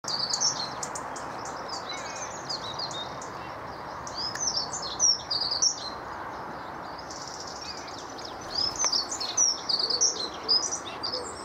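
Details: A dunnock (Prunella modularis) sings, chirruping high, thin, fast jangling warbles in short bursts over steady low rushing background noise.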